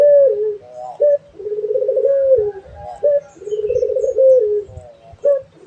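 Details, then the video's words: Cooing of a dove kept as a cage bird: low, mellow coo phrases near the same pitch, each a rolling trill ending in a drawn-out note, repeated about every two seconds with short accented notes between; faint low hum behind. "SUARA BURUNG‼️ PUTER GACOR _KICAU KLASIK"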